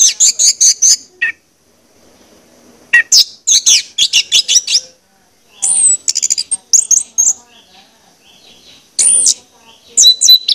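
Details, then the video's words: Orange-headed thrush song played to stimulate other birds to sing: rapid bursts of high, sweet whistled and scratchy phrases, repeated in short strings with brief pauses between. "pancingan anis merah ini bakalan bikin gacor jika di putarkan"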